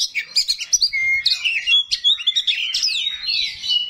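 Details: Small 'kacer rawit' oriental magpie-robin pouring out rough 'isian kasar' fill-in phrases to make rival magpie-robins respond; quick rhythmic chips, sharp upward slurs and bright whistled notes follow each other rapidly.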